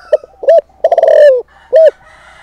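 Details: Spotted dove used as a lure to goad wild males. One brisk cooing phrase: short clipped notes, a stuttering run leading into a long sliding coo, then a single closing hoot. Quiet background.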